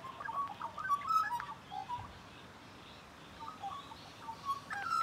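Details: Magpie close by, giving a quick burst of bright, fluted whistles, then a quiet gap before a few more warbled notes return near the end.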